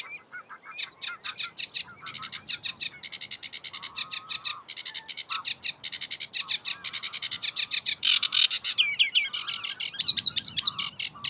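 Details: In May 2016 at Uitkerkse Polder, Belgium, a sedge warbler pours out a fast, continuous chatter of dry rattling notes mixed with churrs and a few sweeter whistled phrases, with no pause.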